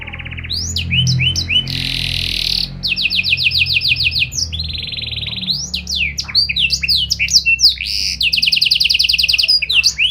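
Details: Canary singing energetically with special variations, meant to set off other canaries. The phrases change constantly: clipped notes, a rasping buzz, fast pulsed trills, and bright upward-sweeping chirps in quick succession.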